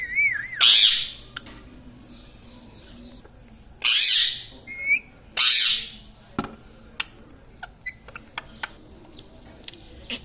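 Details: Talking pet parrot, kept at home and trained to say mummy and mithu, gives three harsh, loud squawking bursts spaced a few seconds apart, with soft clicks and room noise between them.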